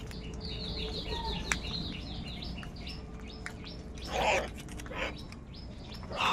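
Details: Crows, called kak in Bengali, giving two harsh, hoarse caws late in the recording, with thin high chirps and twitters of small birds throughout and a low steady background rumble.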